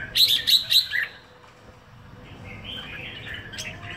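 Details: Red-whiskered bulbul kept in a cage in Singapore for one week: three loud, clipped whistled notes in quick succession at the start, followed by a soft, fainter warble.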